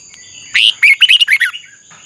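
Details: Red-whiskered bulbul singing in a training recording, one quick phrase of about six bright whistled notes rising and falling, faint steady high tone behind.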